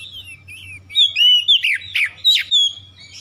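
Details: Magpie-robin lure song meant to prompt others to sing: soft opening whistles build into loud, ringing slurred notes and scratchy accents packed closely together, backed by a faint low hum.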